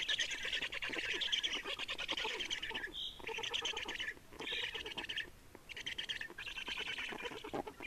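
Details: Black storks in Estonia, 30 May 2019, afternoon changeover and feeding at the nest; rough buzzing bursts alternate with quieter stretches, and one short whistled note stands out near the middle.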